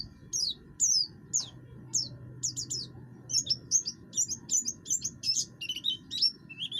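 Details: Oriental white-eye (buxtoni) in active, harsh song used for luring other birds to sing: sharp descending chirps at first, then a brisk chattering series of short high notes ending in lower twitters, hum beneath.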